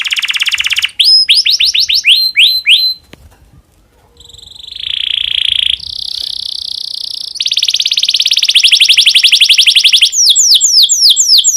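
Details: Breeding-condition domestic canary song meant to trigger singing in other canaries: fast trills, a short quiet pause, then buzzy sustained tours and a rapid rattling trill of high notes.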